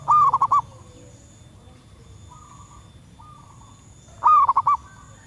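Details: Calling female zebra dove in the wild, used for luring birds: a rapid stuttered coo phrase opening and another about four seconds later, with quieter answering coos from distant doves and a faint continuous high whine between phrases.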